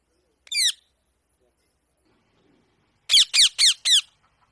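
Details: Indian parrot making natural sounds during a happy moment: one sharp descending screech, a long quiet gap, then four loud raspy downslurred calls in a fast, evenly spaced run.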